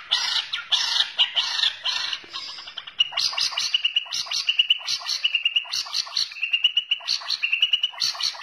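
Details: White-rumped shama of the Borneo form gives a rapid, varied song of high chirps, buzzy notes and clear whistled phrases repeated in quick succession.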